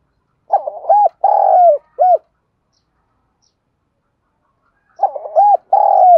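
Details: Spotted dove from southern Vietnam singing in the 'giọng thổ đồng' style, used to lure and provoke wild doves. Two low, hoarse cooing phrases about four seconds apart. Each is a quick stuttered opening, a long rolling coo and a short final coo, with silence between.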